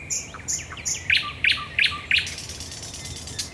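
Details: Thrush nightingale night song from Raszyn Ponds, 10 May 2021: a phrase of high whistle plus sharp chock note repeated about every third of a second, roughly six times, fading into a rasping trill.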